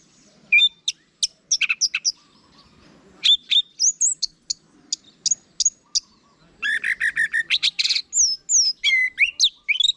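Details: Anis merah, the orange-headed thrush, in ngeplong song meant to coax kept birds into replying: scattered sharp high chirps and short whistles, then a dense, fast burst of buzzy, trilled and slurred notes toward the end.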